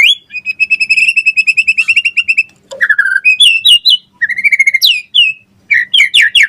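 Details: White-rumped shama gacor song used as pancingan: a long rapid series of identical whistled notes, then varied rising and descending slurred whistles and quick high upsweeps.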